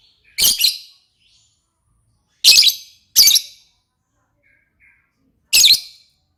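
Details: Lovebird calling actively (gacor): short, sharp, high double chirps in scattered bursts separated by pauses of one to three seconds, with a faint soft note in between.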